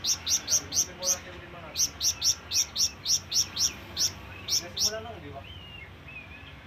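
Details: Flamboyan bird calling to lure companions or rivals: sharp, high chirps repeated about four times a second in two runs, with a soft whistled note in the background near the end.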